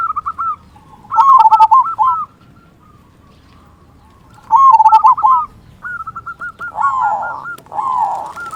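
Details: Local zebra dove with a deep 'kung' song, played to rouse silent or stressed doves: two loud bubbling coo phrases several seconds apart, with softer overlapping cooing from other doves near the end.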